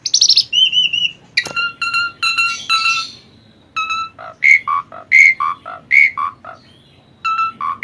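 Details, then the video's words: Vigorous Asian pied starling song used as songbird training audio: clear held whistles and a sharp crack, stacked chattering notes, then a steady rhythm of rich, falling two-part whistled phrases roughly every half second. "Kicauan burung jalak suren gacor"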